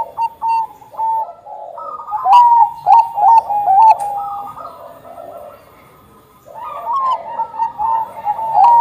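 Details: Singing Bangkok zebra dove, played to stir other doves into song: bursts of short mellow coos and level whistled notes, loud runs separated by a quieter stretch, several birds overlapping.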